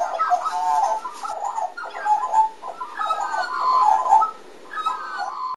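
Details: A morning chorus of chortling magpies: rich, gurgling, fluty warbles in overlapping bursts of one to two seconds, mid-pitched and tuneful, with brief pauses between phrases.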